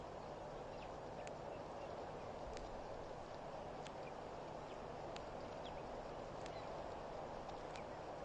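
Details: Blacksmith lapwing (plover) at Pete's Pond waterhole, Mashatu Game Reserve, Botswana, about 2:04 PM, gives sharp, metallic tink notes about every 1.3 seconds, like a hammer on an anvil, over steady background hiss.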